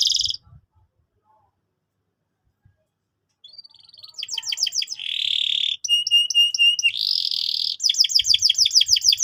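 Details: Canary singing a lure song to teach young canaries: after a quiet start come fast stuttering trills, a rasping roll, metallic repeated whistles and more rapid chattering.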